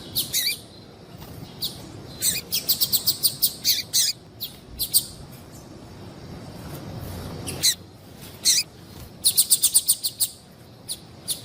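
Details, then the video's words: Calling female yellow-bellied seedeater, a sound breeders use in female-call contests and to get a quiet male singing; bursts of rapid sharp high chips alternate with single notes and pauses. "fêmea de papa capim chamando"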